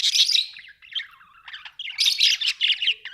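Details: Pet budgerigars give continuous rapid warbling, a dense mix of raspy buzzes, squeaks and whistled slides with hardly a pause.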